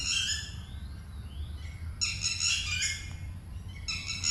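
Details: A Red-wattled Lapwing near water in Phutthamonthon park, Thailand, which guards its 2–3 chicks, gives loud, harsh, high-pitched screaming alarm calls in rapid bursts when approached, over a low background rumble.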